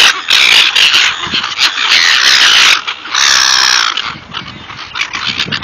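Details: Flock of seagulls being fed, calling loudly and almost without pause: dense, shrill, grating squeals piled on top of each other, easing into sparser calls near the end.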